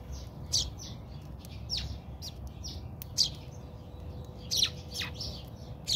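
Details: Squabbling house sparrows in a backyard in South Africa give loud, sharp high chirps at irregular intervals amid softer twitters, over a faint steady hum.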